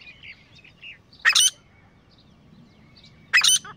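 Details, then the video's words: Grey francolin of a calling pair: two harsh broadband double notes about two seconds apart, with faint thin chirps of small birds in the background. "Beautiful Sounds of Grey Partridge Pair | تیتر جوڑے کی آواز | Grey Best Francolin Pair Voice"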